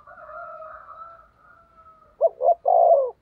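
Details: Decoy spotted dove used to lure wild doves; a long, faint, even double-toned note opens, then a loud stuttered coo of two quick notes and a long burring coo.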